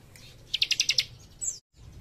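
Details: Warbler singing with a fast, tightly packed phrase of about six sharp, high staccato notes, followed by a short thin whistle that slides down before a brief silence.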